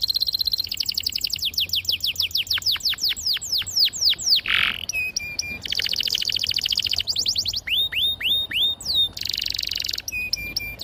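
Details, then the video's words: Long canary song in clear, sharp voice, used as a lure for young birds learning to sing. Buzzy trills, cascades of steep down-slurred notes, a brief harsh burst, and repeated rising whistled sweeps alternate over about eleven seconds. "PANCINGAN KENARI GACOR PANJANG || PANCINGAN KENARI PAUD BELAJAR BUNYI || MASTERAN KENARI PAUD"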